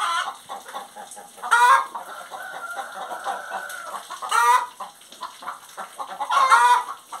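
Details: Singing hen giving three sharp loud squawks spaced about three seconds apart, over a steady bed of softer rapid clucking and a long drawn nasal note between them.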